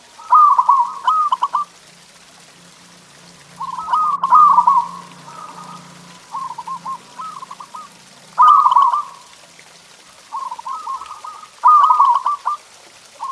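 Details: Zebra dove (local perkutut) giving a masteran tutor song to prompt pet birds to sing: rolling, stuttered coo phrases repeated roughly every three to four seconds, with a faint low hum underneath.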